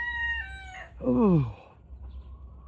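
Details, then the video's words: Young Turken chicken just learning to crow, around 5 am on a cold morning: a thin, steady, wavering tone that steps down in pitch, then a louder, low, falling harmonic cry, over a constant wind-like rumble. "Turken sounds like dying chicken toy!"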